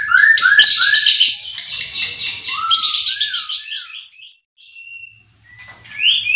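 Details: Morning song of a white-rumped shama from a breeding aviary where all the birds sing. Rapid high chattering notes and short downward-slurred whistles, then a pause, a single thin whistle and a final bright upslurred phrase.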